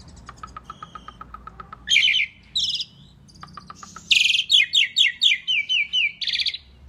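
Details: Asian pied starling singing energetically as a tutor recording: a fast series of dry ticking notes, then loud buzzy bursts and a rapid string of bright chirps with steady whistled tones.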